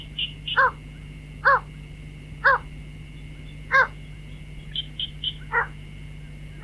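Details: Night-trapping lure of a white-breasted waterhen: five clipped, harsh harmonic notes at uneven gaps of about a second, a few faint high chirps between them, and a steady tone with low hum.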